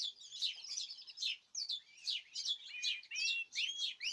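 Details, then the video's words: Several caged birds singing together, recorded 14 March 2026: a dense, overlapping chorus of high chirps, twitters and quick rising whistles, with bursts of notes following each other several times a second. "تغريد جماعي للطيور"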